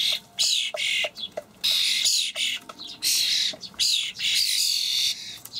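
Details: Common starling young being fed dried buffalo worms by parent birds, Hamburg allotment garden, 28 May 2012. Rough, squawking rasps repeat in a steady series, some short, some stretched to nearly a second.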